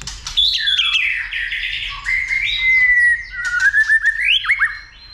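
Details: White-rumped shama excited into fight-singing, tail flicking; long fluid whistled phrase sliding from high to lower pitch, with warbles and ending in quick upward flicks and clicks.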